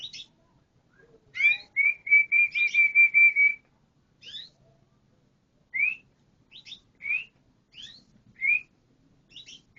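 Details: Canary song: scattered sharp chirps, then a rapid run of about eight even, high whistled notes, followed by further spaced chirps and short upslurred notes against a quiet background.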